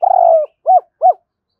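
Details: A single phrase of spotted dove 'hai hậu' cooing, meant to rouse a decoy bird: one long, slightly falling coo, then two short arched notes at even spacing.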